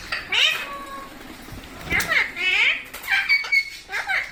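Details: Indian parrot kept as a pet giving a series of harsh, rising and falling squawks with short whistled notes in between, speech faintly audible in a quiet room.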